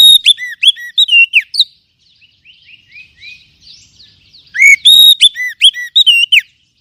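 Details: Oriental magpie-robin (kacer) song, used to stimulate other kacer. Loud, clear whistled phrases with rising and falling notes come in rapid bursts, then a quieter passage of softer slurred whistles before a strong burst returns. No other sounds.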